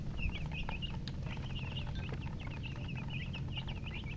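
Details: A group of baby chicks gives rapid high peeps, short inflected notes pouring out almost without pause, a few faint clicks among them, above a steady low hum.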